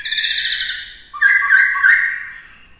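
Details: Black-throated laughingthrush, kept to train a young bird in multi-voiced song, gives a harmonic nasal phrase and then two loud, rich warbled phrases of about half a second each, sliding and slightly buzzy.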